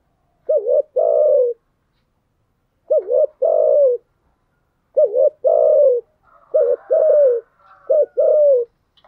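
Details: Spotted dove decoy cooing used to lure wild doves into calling, voiced as by a female: repeated pairs of low hollow coos, a short dipping note then a longer level one, given in groups about every two seconds, with faint overlapping coos late on.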